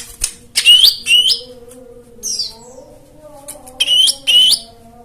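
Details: Song for training non-singing white-eyes: short bursts of two bright, upward-slurred whistled notes, separated by a long near-silent gap, over a faint steady low hum.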